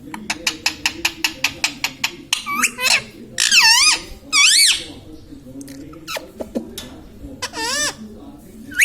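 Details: Pet Indian ringneck parakeet talking indoors, said to say mummy, papa and radhe radhe; a fast run of about a dozen sharp ticks, then several loud, high, wavering voiced phrases with pauses between.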